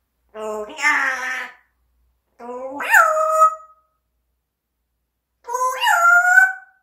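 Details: Talking pet parrot giving three long, wailing harmonic calls spaced a couple of seconds apart, each rising sharply then leveling into a sustained tone.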